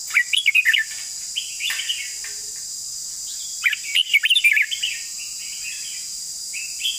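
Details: Red-whiskered bulbul long song: two rapid phrases of bright, slurred whistles about four seconds apart, softer chirps around them, and a constant high insect-like drone behind.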